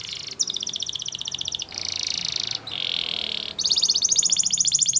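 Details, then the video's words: Male Spanish Timbrado canary, a singing champion, sings a run of high, metallic rolls for training. Fast pulsed trills alternate with dense buzzing tours, each lasting a second or two. "Spanish Timbrado Song"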